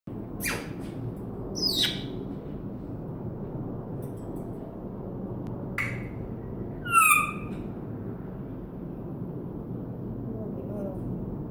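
An African grey parrot gives a few scattered sounds: a sharp click, a quick falling whistle, a short squawk and a brief, clear, toneless whistle, over a steady room hiss.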